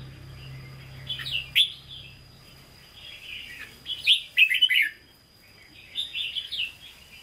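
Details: Red-whiskered bulbul kept in a cage, Hue-style singer, 'hót ché' song: several separate clusters of chattering, whistled syllables spaced by quiet gaps, with a low hum in the first half.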